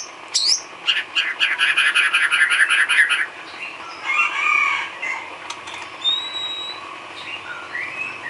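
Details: White-rumped shama filler song for cage bird training: a sharp whistle opens a dense buzzy rattle, then softer warbled notes and thin high whistles.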